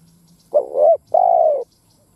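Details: One phrase from a decoy spotted dove's lure call: a rough, wavering low note rising slightly, a brief gap, then a sustained mellow coo that slowly sinks in pitch.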